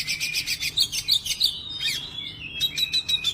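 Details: Oriental magpie-robin song: varied bright whistles and chattering notes mixed with rapid repeated chirps, over a low background rumble.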